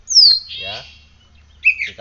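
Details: Brief burst from a caged oriental magpie-robin after morning sunning: one sharp high downslurred whistle running into a harsh buzzy note, then a short chirp, with a low hum beneath.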